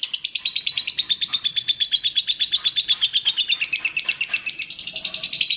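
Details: Clear lovebird tutoring song of fast, evenly spaced metallic chips, nearly three a second, that climb into a brighter, more rapid burst toward the close.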